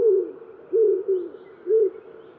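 A Common Wood Pigeon gives soft, deep, hollow coos in a short, uneven rhythm, four notes over about two seconds, against a quiet background.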